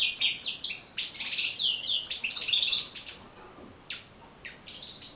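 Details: Training song of the European goldfinch: fast sparkling twitter with buzzy trills for about three seconds, then a few spaced single chirps.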